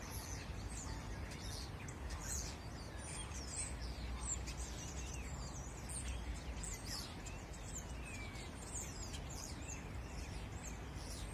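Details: A dense flock of wintering starlings in a busy tree in Barcelona chatters nonstop with overlapping squeaky whistles, clicks and slurred notes, over a steady low rumble of city noise.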